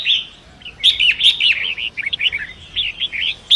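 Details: Long-tailed Shrike from the forest beside a fast river, used to train other songbirds: a continuous stream of quick, varied chirps and scratchy warbles with sharp accented notes, no long pauses.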